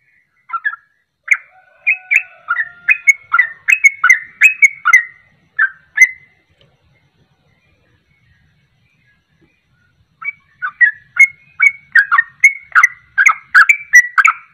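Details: Sooty-headed bulbul giving a rapid 'ropelan' song used as a lure to make other birds sing along: bursts of short chirpy, slurred whistled notes for six seconds, a four-second pause, then another fast run of notes.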